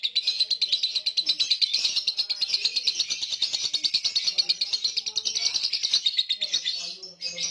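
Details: Sleepy lovebird giving a long ngekek chatter, meant to lure silent lovebirds: a dense, shrill, rapidly pulsed trill running nearly eight seconds, briefly breaking near the end, with soft low sounds underneath.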